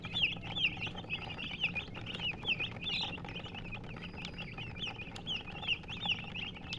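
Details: Chicken chirping from a group of hens: quick, thin, high-pitched peeps with sharp up-and-down sweeps, about two or three per second and irregularly spaced, several voices overlapping above a constant low hum.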